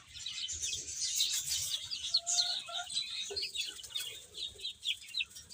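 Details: Chicks eating and playing, keeping up a continuous high chirping. Brief wing flutters, soft lower clucking notes and scratchy bursts are mixed into the chorus.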